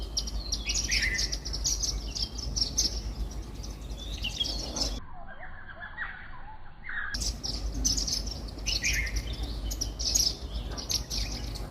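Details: Indian silverbills, also called white-throated munias, chirping while eating millet from a bird feeder in a house garden; dense, overlapping high chirps and short twittering notes from several birds, with a brief quiet break midway.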